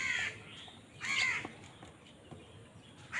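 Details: A crow squabbling over food lets out two or three harsh, grating caws about a second apart, the loudest in the middle, with soft hiss filling the gaps.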